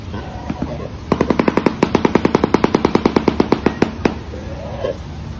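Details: A shoebill clatters its bill in a rapid burst of about twenty-five hard, dry knocks, roughly eight a second, like a machine gun, over a faint background hum; listed among birds whose sounds resemble gunshots.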